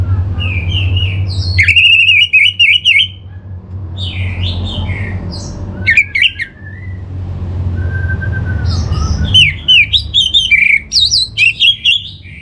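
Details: Singaraja, North Bali: an Orange-headed thrush sings as bait to make caged birds sing, giving jerky, quickly repeated whistled and mimicking phrases in three bursts, with a faint long whistle and a low droning hum in the pauses.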